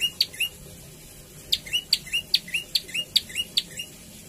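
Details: Energetic Javan tailorbird song built from paired notes, each a sharp very high chip followed by a lower slurred whistle, repeated rapidly in a long run after a brief opening pair.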